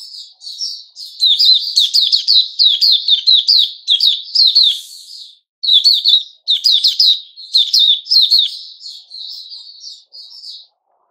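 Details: Sooty-headed bulbul singing on 10 July 2021: dense, fast chirping phrases repeated back to back, with a short silence midway and at the end.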